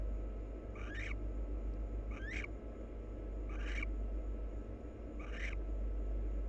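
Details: Barn owl pair, wild birds, preening each other. Four scratchy, upward-bending notes spaced about one and a half seconds apart over a steady droning background.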